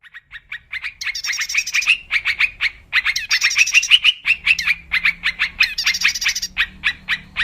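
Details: Wild yellow-vented bulbul lure sound for trapping: quick runs of short bubbly chirps in a steady mid-high register, with brief buzzy upper overtones in several bursts and a faint low hum underneath.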